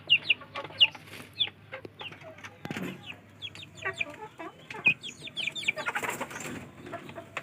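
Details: Village chicks competing for food give clear high downslurred cheeps at first, then softer scattered peeps amid rustling and a burst of broad hissing noise near the end.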